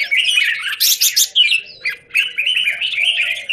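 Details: Square-caged Red-whiskered bulbul, recorded 17 Jan 2019, pours out dense, rapid chattering song with high, sweeping notes and barely a break throughout.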